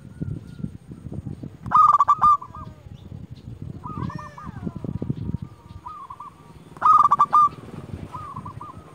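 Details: A local zebra dove used to call rivals gives two loud bursts of rolling coos over steady low rumbling noise, with fainter cooing phrases heard between them.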